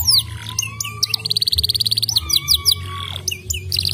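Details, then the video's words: Canary singing to prompt a quiet canary to start: a long low whistle leads into a rapid mechanical trill, then quick upward sweeps and clipped chirps, with a steady low droning hum underneath. "PANCINGAN KENARI MACET BUNYI"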